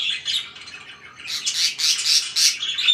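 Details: Pet budgerigar indoors, a few soft chirps followed by a run of four or five loud, scratchy squawking notes.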